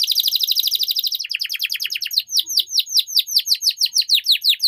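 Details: Canary song: a rapid, tightly packed high trill gives way to a run of loud, sweeping downslurred whistles repeated about four times a second, clear and ringing.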